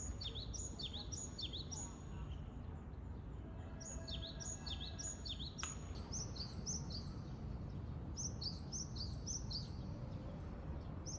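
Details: Japanese tit song recorded in Japan: rapid series of high, piercing swooping notes repeated over and over, a brief lull with a sharp knock midway, then a busier run of overlapping phrases, above a continuous low background hum.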